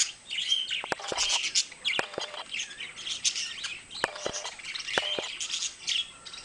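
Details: A pair of pet budgerigars keep up a rapid, scratchy chirping warble, accompanied by frequent sharp clicks and taps throughout.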